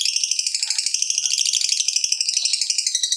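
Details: Fighter lovebird's long 'ngekek' trill, played to encourage other lovebirds to call: a dense, rasping, very high chatter of rapid pulses, sustained and unbroken for three seconds.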